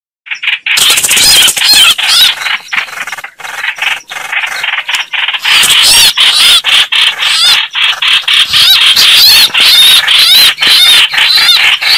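Red-whiskered bulbuls calling loudly while fighting: a dense, continuous stream of harsh, chattering and squealing notes with bright whistled fragments, several birds overlapping.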